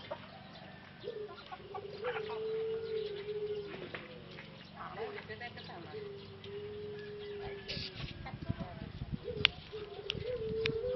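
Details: Male Pelung dove in a cage in Solo, Indonesia, recovering after losing its voice during six months of breeding, kept apart and given medicine and vitamins; long low steady coos in several stretches among clucking chickens and clatter.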